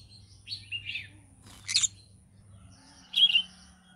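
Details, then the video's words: Green-cheeked conure singing in the morning: short rising chirps and squeaky whistled notes near the start, a harsh broadband burst in the middle, then a bright chirp toward the end, with a low hum underneath. "Green cheek conure singing sounds in the morning"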